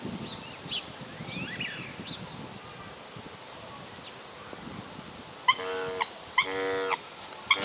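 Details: A male black swan stretching and trumpeting while its young graze around it, giving two drawn-out, nasal, bugling trumpets of about half a second each, after a quiet stretch with faint small-bird chirps.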